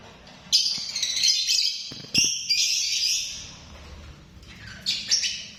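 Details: Lovebird uttering shrill, grating chatter in several long rasping bursts, high and noisy, with a soft thump and low background hum between calls.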